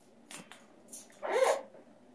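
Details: Severe macaw, a talking parrot, making a few short scratchy clicks followed by one loud, harsh, grating squawk lasting about a quarter second, indoors with little background noise.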